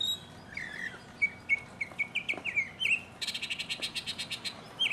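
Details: Solo mockingbird song from 2015. Sharp chirped notes climb and repeat, then switch to a fast, buzzy, rattling series of stacked notes before a final whistle.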